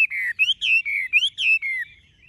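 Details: Chinese hwamei, a tame cage bird with golden-yellow legs, bill and feathers, gives short clear whistled phrases, each note sliding up then gently down, in a quick bright series.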